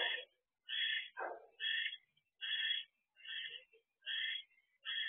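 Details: Barn owl pair at a nest box, evening of 25 December 2023, as the male brings dinner to the female; a rapid series of short rasping, twittering bursts, with one lower, rougher call near the start.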